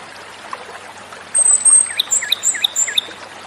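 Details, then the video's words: Japanese robin (komadori) song over a steady watery hiss: a long, very high thin whistle, then a quick series of four or five short notes, each pairing a high tick with a lower swooping slur. "suara burung JAPANESE ROBIN/KOMADORI"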